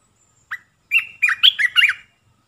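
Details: Olive-winged bulbul decoy song used to bring wild birds in: one sharp opening chip, a pause, then a lively tumbling series of liquid warbles.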